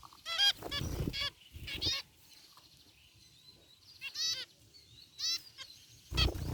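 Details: In a cage aviary, zebra finches of white and gray varieties let out occasional bursts of nasal honking chirps, each cluster brief, with near silence and faint rumble between them.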